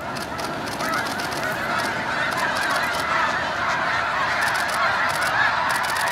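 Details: A loud, unbroken wall of Snow Goose honks as the flock blasts off early at Hagerman NWR, calls piling up roughly twice a second with flickering wingbeat rustles above.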